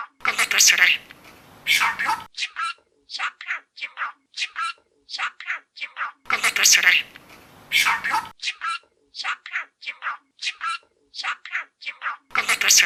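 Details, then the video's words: Pet budgerigar mimicking speech, repeatedly saying "Galatasaray" and "Cimbom" in a high, thin, chattering voice, with rapid bursts of scratchy warbling between the words in a small indoor room. "ŞAMPİYON GALATASARAY DİYEN MUHABBET KUŞU , CİMBOM DİYOR"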